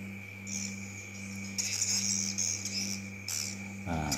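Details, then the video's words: A large swiftlet colony circling outside a swiftlet building gives thin, high twittering chirps in uneven bursts over a steady low electrical hum; a man starts speaking at the end. "ini suara walet yang berkoloni yang mutarnya banyak sekali diluar gedung nah"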